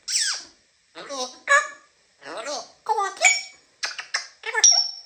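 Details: African grey parrot talking indoors, a quick series of speech-like words and clicks in separate bursts, harmonic and nasal in tone, ending with a sharp high whistle.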